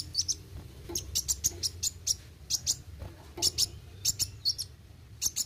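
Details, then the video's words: Sunbird (kolibri wuling) in full rolling song, rapid high-pitched tweets and trilled notes coming in close bunches, nearly continuous, with a faint low background drone. "Kolibri Wuling Gacor Roll tembak"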